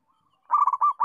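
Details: Local-type zebra dove singing, recorded as a model for training other doves to sing; after a quiet start, a fast run of bubbling, rolling coos begins and is cut off mid-phrase.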